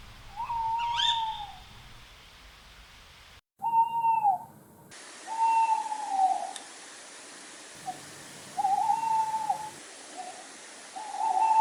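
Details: Tawny owl at night: a series of steady hoots, some long and some short and slightly arched, with abrupt cuts and jumps in background level between them.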